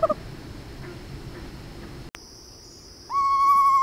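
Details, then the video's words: An Eastern Screech-Owl gives a steady, quavering mid-pitched note near the end, over a constant high insect-like hum and some background rumble. "Eastern Screech Owl Sounds"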